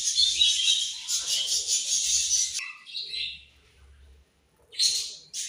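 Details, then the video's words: Budgerigars during morning feeding: an opening stretch of dense, high chattering chirps, a short squeaky call, near silence, then a fresh burst of twittering at the end. "Beautiful Budgies Morning Feed And Chirping Sounds"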